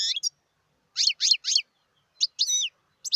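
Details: Wild European goldfinch, 2018. Three bright, falling twittered notes come in quick succession, followed by a pause and a couple of rich, slurred chirps.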